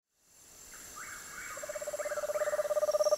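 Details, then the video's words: Screech owl giving a steady, rapidly pulsed trill that swells from faint to loud over about three seconds. Soft higher descending notes flicker in the background. "Sounds of the Megascops"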